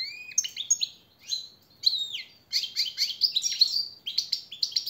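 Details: European goldfinch master song for training captive birds, opening with clear downslurred whistles and chirps, then a dense run of bright twittering notes.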